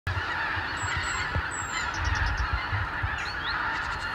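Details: Thousands of wild Arctic geese wintering on the Lower Rhine, flying back at morning from their roosts to pastures and meadows; a dense, continuous chorus of overlapping honks forms a steady roar, with low rumbling noise beneath and a few higher squeaky notes.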